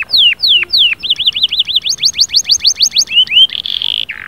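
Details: Canary singing a loud, energetic song: a few descending whistled slurs, then a fast run of rising-falling notes at about four per second, a brighter climbing series, and a final buzzy held trill ending in a low note.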